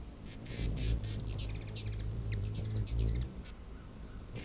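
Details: Hummingbirds in a feeding frenzy at a back-deck feeder in late August 2019: a low wing hum throbs under quick bursts of high, clicky chips scattered across the clip.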